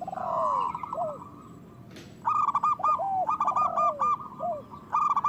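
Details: Local zebra dove with a strong voice, used as a breeding and singing lure: a low drawn-out falling phrase, a brief click, then rapid repeated coos mixed with dipping lower notes.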